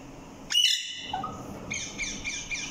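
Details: Parrot vocalizing: a loud harsh squawk burst, then a short whistled note, followed by a series of raspy, buzzy chattering calls.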